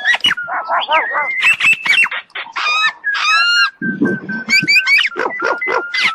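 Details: Indian common myna, a talking bird, singing a loud, varied medley of harsh chatters, clear whistles, level held tones and squawking notes that change quickly from phrase to phrase.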